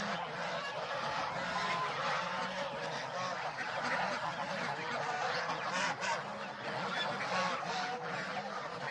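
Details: Domestic geese on a farm, with goslings present, calling together: a dense, continuous chorus of overlapping nasal honks and cackles that never pauses across the clip, steady in loudness.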